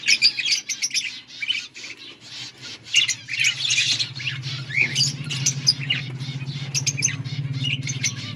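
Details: Outdoor colony of budgies chattering: many birds give rapid high chirps and harsh squawks in a continuous jumble, over a low droning hum that grows louder midway.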